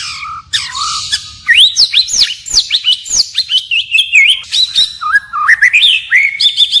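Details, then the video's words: A white-rumped shama sings forest-style phrases, constantly varying them: a low whistle, then a series of high looping upswept notes, followed by warbled rising figures at the end. "Chích chòe lửa hót giọng rừng hay đảo giọng liên tục, บินหลาดง murai batu shama bird"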